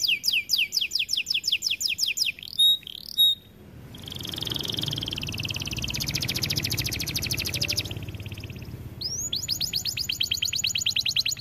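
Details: White AF canary singing loudly: a run of rapid repeated descending sweeps, a couple of sharp notes, then a long fast rattling trill, and finally a new series of quick high downslurred notes.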